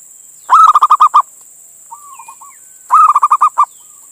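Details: Indonesian local male zebra dove calling to a female, a lure recording for drawing other doves: two fast phrases of bubbling coos, each about six rolled notes, separated by a softer, lower trailing coo, with faint constant hiss.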